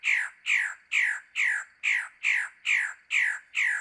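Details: Male magnificent bird-of-paradise calling in mating season deep in the jungle of the Arfak Mountains, West Papua: a series of nine loud, harsh, downslurred notes, evenly repeated about twice per second.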